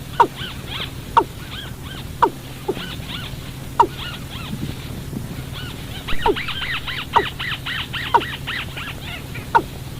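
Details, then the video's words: Watercock call used to lure birds into traps at night: descending notes repeated roughly once a second, with busy higher chattering at the start and again in the second half, over a low steady hum. "tiếng chim cúm núm"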